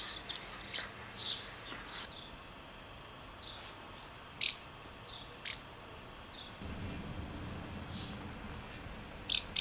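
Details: House martin feeding young in Přerov-Kozlovice, Czech Republic: scattered short high chirps and twitters, irregular bursts, quiet gaps between, and a low background rumble in the second half.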